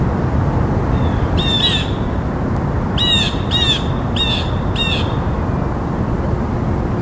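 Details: Blue jay calling harshly: five rasping jay notes, a single one followed by a tight run of four, each about half a second apart, above a constant low rushing background.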